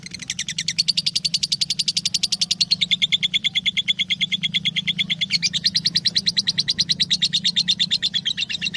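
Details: Lovebird singing for use as a master recording to teach other birds: rapid, rattling high chatter in unbroken pulse trains, briefly shifting pitch twice, with a constant low electrical-like hum underneath.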